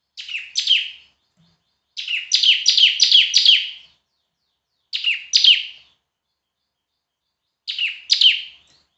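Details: Semi-active, loud bar-winged prinia song recorded for teaching other birds: short groups of two to four quick descending chirps delivered in separate bursts, with pauses of a second or more between them.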